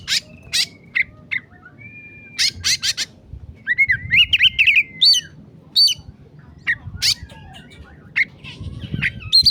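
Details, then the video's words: Oriental magpie-robin giving excited emosi song on a masteran recording: crisp snapping notes, one long level whistle, then a run of arched, bouncing whistled notes midway, followed by sharper scattered chips. "masteran kacer emosi"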